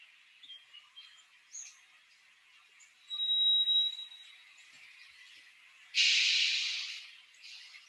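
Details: Song Sparrow's complex song: a few thin, high opening notes, a clear held whistle, then a loud, husky buzz; huskier, deeper and slower than a Bewick's Wren. Faint background hiss throughout.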